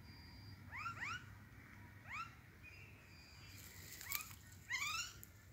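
Common myna giving sharp, rising whistled and slurred chirps in quick pairs, with a few harsh scratchy notes, over a low background hum.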